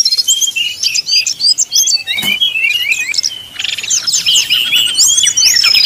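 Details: Brown-chested jungle flycatcher in 'nyuling' style, played as a lure to provoke rival birds into singing. High, rapid whistled and chirping phrases overlap densely, with quick upward and downward sweeps and short trills throughout.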